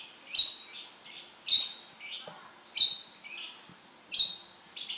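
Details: Kolibri kelapa, the brown-throated sunbird, singing: emphatic high chirps, each followed by a quieter echoing note, repeated at intervals of just over a second.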